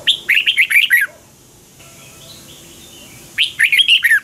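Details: Morning training song of a red-whiskered bulbul, 'double-twist' voice, 2020, meant as a lure for teaching other birds: a rapid phrase of six chirpy, looping whistled notes, then a pause and the phrase again.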